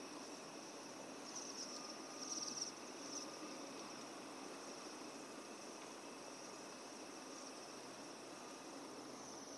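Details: Bohemian waxwings in Bratislava on 7 December 2012 give thin, high, sibilant trills that run almost continuously, with a brighter burst after two seconds, over a steady rumble of traffic.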